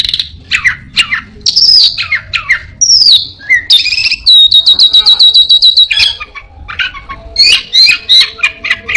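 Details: Loud, varied mimicry from an orange-headed thrush, said to imitate a prinia, a cat, a cirtu and other birds: jumbled descending squeaks and buzzes, a steady rattle of quick high ticks mid-phrase, then more scratchy chatter.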